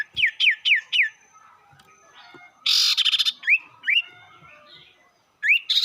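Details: Sirtu song used as a lure to stir up rival birds, cipou brondol style: four quick descending whistles, a loud harsh rattling buzz, then scattered rising whistled notes and a final upslur.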